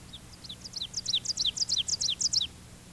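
Ovenbird song: emphatic two-note 'teacher, teacher' phrases, high and ringing, repeated rapidly and swelling louder toward the end over a faint low hum.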